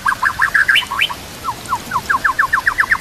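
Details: White-rumped shama song for training competition birds: a jumbled chattering phrase, then a steady run of about ten evenly spaced upslurred chips, each roughly a tenth of a second apart.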